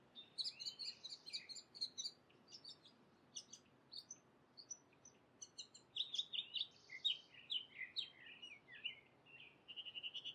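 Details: House sparrows chirping while bathing: quiet, steady stream of short high chirps and twitters, denser in the second half, with a faint low background hum.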